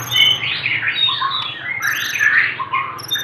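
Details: White-rumped shama from Aceh in a jumbled burst of whistled and buzzy notes, with high thin ringing tones above and a low background hum.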